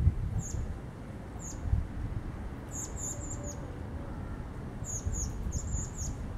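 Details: Juvenile common blackbird begging as an adult male passes it bits of plum; high, thin, slightly descending calls given singly or in short bursts of two to four, over steady low background hum.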